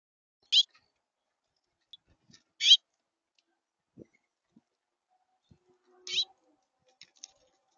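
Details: Squeaky sparrow calls: three short, bright, high chirps at about 0.6, 2.7 and 6 seconds in otherwise quiet surroundings, with faint clicks and soft low knocks between them.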